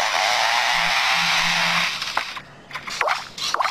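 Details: A male Superb Lyrebird in forest mimics the chainsaw of foresters working nearby: a harsh, steady roaring buzz for about two seconds over a low hum, then scattered clicks and rasping bursts.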